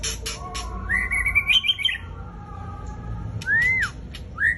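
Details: Murai Raja Rimba, the white-rumped shama, in fierce song: sharp clicks, then a quavering whistled run stepping upward, a pause, and a pure arched whistle followed by a rising note, with a low continuous hum behind.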